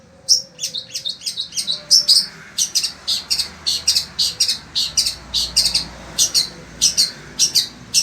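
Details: Long-tailed shrike, a sembur-type pet bird in Indonesia, singing continuously in fierce heat: a dense, fast chatter of high scratchy notes running without pause for eight seconds, loud and steady.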